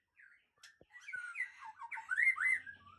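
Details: Aceh white-rumped shama, a breeding-stock bird, singing a short run of rich, varied whistled phrases. The phrases start softly, then grow louder into sliding, warbled notes near the end. A couple of faint clicks are heard, with no other background sound.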